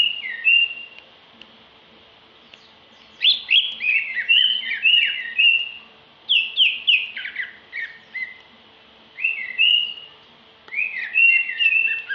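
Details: Song of a female greater green leafbird: bursts of bright whistled, downslurred notes in quick chains, separated by silent gaps of one to two seconds, with a steady faint electrical hum beneath.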